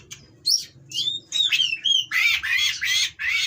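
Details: Caged Oriental magpie-robin in breeding condition, harsh song aimed at provoking rivals; a few sliding whistles, then four loud rasping, scratchy notes repeated in a steady series over a low hum.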